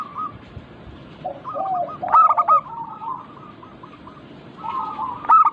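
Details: Local zebra dove song used as a lure to get birds singing: rolling, throaty cooing trills from several doves, with one loud burst of quick cooing notes just after two seconds and another at the end.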